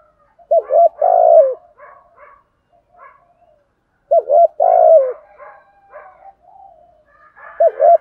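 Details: Spotted dove kept as a decoy, giving its morning 'thúc gù' lure call for wild doves: three loud phrases, each a clipped double note and then a long purring coo, with soft coos trailing between them.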